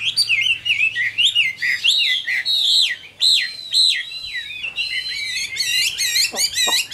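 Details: Chinese hwamei, a caged adult wild-caught bird with a good voice, sings loud, varied whistled phrases: sweeping rising and falling notes, slurred trills and quick repeated figures.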